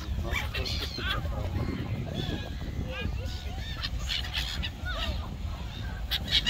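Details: A flock of laughing gulls (Leucophaeus atricilla) at the beach gives nasal, arching cries overlapping in a busy chorus, over a steady low rumble of surf and wind.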